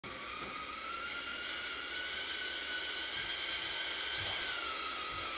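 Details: A Turkey vulture chick in an abandoned house in southern Alberta gives an eerie, harsh, breathy hiss that runs unbroken for several seconds, with a faint thin whine riding through it.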